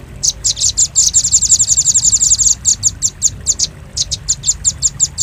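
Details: Velvet-fronted nuthatch lure recording used to attract birds: rapid runs of sharp, very high chips, merging into a dense chatter in the middle, then spaced single notes. Low background rumble throughout.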